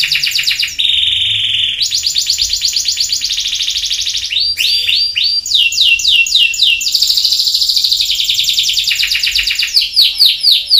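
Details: Canary in full song: a steady pure tone, fast high trills, then rapid hooked notes and dense buzzy rolls switching from one pattern to the next without pause.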